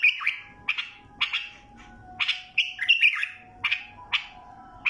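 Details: Bulbul of the Mandali type in song, delivering brief warbled whistle phrases about once a second, some with rapid bubbling slurs, against a faint constant hum.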